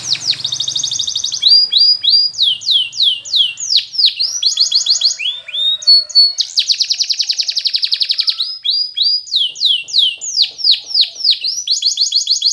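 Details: Training song of a Spanish Timbrado canary: strong, continuous singing alternating dense buzzy rolls with series of falling whistled slurs, each phrase type repeated many times in quick succession.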